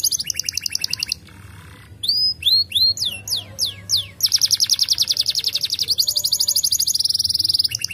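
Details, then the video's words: Canary song said to set other birds singing: high rapid trills, a pause with a faint low buzz, a run of sweeping upslurred whistles, then long fast high trill rolls. "The sound of the canary makes other birds join the sound"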